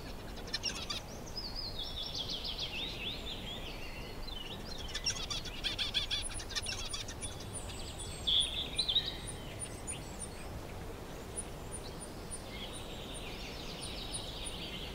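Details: A male zebra finch (Taeniopygia guttata) on top of his nest on a sunny day, playing with straw and string, sings a quick run of nasal, buzzy notes and chattering phrases over steady background hiss.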